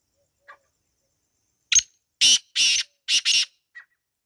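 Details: A wild black francolin in natural surroundings gives its harsh call: a soft chip, a sharp lead note, two pairs of loud rasping buzzes, then a closing short note.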